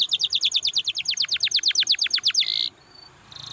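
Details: Canary song meant to stimulate other canaries to sing: fast rhythmic train of sharp descending notes, about three per second, ending in a short buzzy trill before near silence.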